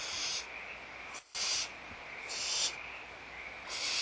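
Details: Barn owls in the nest at Audubon Starr Ranch Sanctuary, feeding time on the morning of 16 March 2011; three or four harsh, airy hisses, each under half a second, after a short silent gap.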